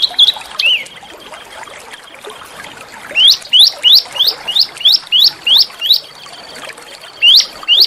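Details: Small bird's training song for tutoring white-rumped shamas and magpie-robins. A brief whistle, a pause, then a rapid string of steeply rising, clear whistled notes about every third of a second, with a faint steady hiss behind.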